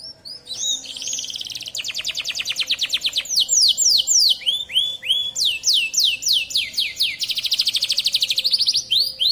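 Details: Local canary of the Bond colour variety singing vigorously: a varied song mixing fast buzzy trills with loud, clear sweeping whistles, phrases shifting every second or two, bright and high throughout.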